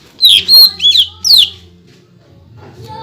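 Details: Greater green leafbird singing its rapid-fire 'tembakan rapat' song to provoke other leafbirds: four loud, sharply slurred whistled notes in quick succession, then a pause, with a low steady hum underneath.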